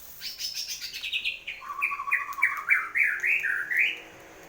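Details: Caged white-rumped shama in full song after its moult: a descending high opening, then a fast run of alternating low and higher whistled notes that climbs at the close, in a small room.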